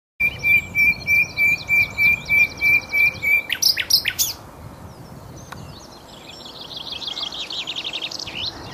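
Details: Common nightingale singing at Cowpen Bewley, recording with improved sound quality: a series of about a dozen clear, evenly repeated whistled notes, then sharp clicks and a fast buzzy, rattling trill, with a steady low background hiss.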